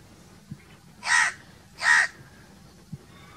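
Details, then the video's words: Two rough crow caws about three quarters of a second apart, with faint clicks before and after. "1 hour crow crowing sounds"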